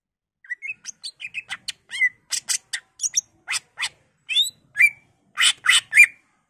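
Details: Greater green leafbird song meant to stir other leafbirds to sing: a continuous string of varied chirps, sharp clicks and upslurred whistles, about two notes a second, rising in loudness toward the end.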